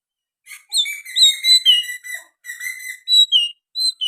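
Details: Lively oriental magpie-robin song containing sooty-headed bulbul phrases, a run of clear whistled notes and quick slurs delivered in short phrases with brief gaps between them.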